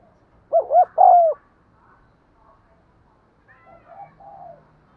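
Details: Cooing spotted dove, used to get caged birds to coo. One clear phrase, a stuttered double note then a long descending coo, followed by faint muffled coos and low background hum.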